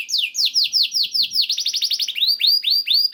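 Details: Canary training song to make canaries sing: a run of slurred descending notes repeated about every quarter second, speeding into a rapid rattle, then rising chirps in a steady series, no background noise.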